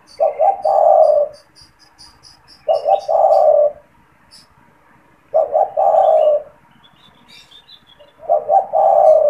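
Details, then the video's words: Caged spotted dove that calls often, used as a lure to trap wild doves and stir them to call; four low coo phrases about every 2.7 seconds, each two short notes followed by a long, drawn-out coo, with faint chirps from other birds. "SUARA PANGGILAN DAN PANCINGAN TEKUKUR TERBARU | TEKUKUR GACOR BAGUS BUAT PIKAT"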